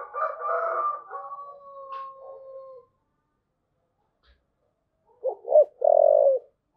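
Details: Spotted dove giving its thúc gù cooing style: long, faint, steady drawn tones open the clip, then after a silence two short throaty notes lead into a longer, hoarse, low coo.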